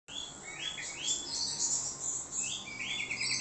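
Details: An orange-headed thrush gives a lure song meant to make other birds answer: a fast, varied stream of high, sweet whistles and trills, phrases shifting pitch every second or so, with faint background hiss.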